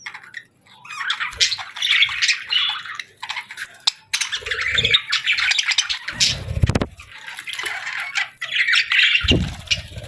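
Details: Parakeets chirping in summer, giving steady, chattering warbles and scratchy squeaks in overlapping runs, with a couple of deep knocks in the background.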